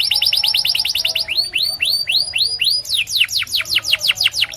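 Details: A white canary sings rapid rolling tours of bright whistled notes: first a fast trill of downslurs, then slower arched notes, then another quick run of falling sweeps.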